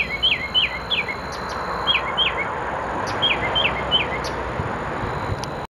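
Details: Evening mockingbird song recorded 6 October 2013, 17:30: quick slurred chirps delivered in repeated groups of three, a phrase, a pause, then the same triplet again, with a constant high-pitched whine and low rumbling background noise throughout.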